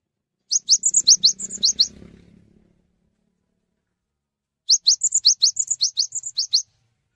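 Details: Cinereous tit singing to invite other tits to sing along: two strophes of sharp, high repeated two-note phrases, each lasting about two seconds, separated by a quiet gap and preceded by low murmuring noise.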